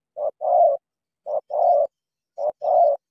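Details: Spotted dove, a caged decoy bird from Cà Mau confronting a wild dove. It gives three two-part phrases, a short clipped note then a sustained throaty coo, spaced about a second apart, with a faint click near the end.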